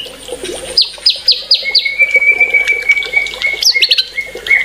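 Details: Singing white-rumped shama giving a series of sharp, high downslurred notes repeated quickly, then a long, level, sustained whistle and a few more quick high notes.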